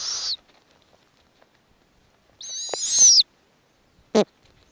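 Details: Arctic snowy owl nest where the female feeds tiny nestlings; short harsh screech, then a louder wavering rasping scream of nearly a second, and a brief sharp click-like note, over near silence.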